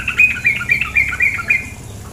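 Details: Female sooty-headed bulbul delivering a lively chatter of bright, warbled notes in quick pulses for nearly two seconds, with the hush of flowing water underneath.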